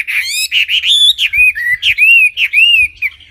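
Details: Wambi bird song: loud, full arched whistles, some with a buzzy edge, repeated in quick succession with brief gaps, fading at the end.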